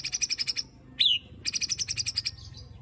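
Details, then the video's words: White-rumped shama, murai batu, in 'tembakan' shooting style to provoke rivals: rapid, buzzy, machine-gun pulses about twelve per second, broken by one sharp falling whistle, then another fast rattling burst. "Tembakan Dan Besetan Murai Batu Isian Kasar Ampuh Memancing Emosi Murai Batu - Shama Bird"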